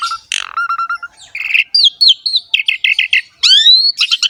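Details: Asian pied starling singing a lively, phrase-packed song meant to coax young or lazy birds into singing. Buzzy bursts and steady whistled notes give way to rapid chirp series and sweeping rising whistles, all loud and clear.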